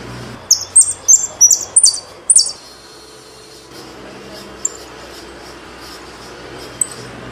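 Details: Saffron finch from Argentina delivering a quick run of six or seven bright, high, slurred chirps in the first two and a half seconds, then near silence with two isolated thin tweets.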